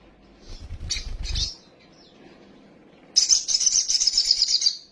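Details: Little spiderhunter lure recording used to excite young birds into full song: soft thin notes and low rustling, then a loud, rapid, high buzzy trill of nearly two seconds.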